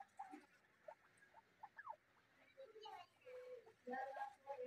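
Soft, irregular clucking and chattering notes from a Chukar partridge, some short and sliding, others longer and steadier, with quiet background murmur.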